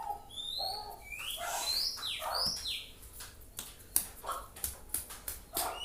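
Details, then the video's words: Young white-rumped shama learning to sing, a jumble of high rising and falling whistles and lower chattering notes, followed by a series of sharp clicks. "Burung kacer belajar bunyi"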